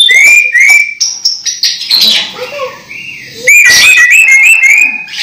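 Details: Caged orange-headed thrush, close to moulting yet still singing vigorously: clear whistled phrases, rising then levelling, repeated rapidly with short varied slurs between them.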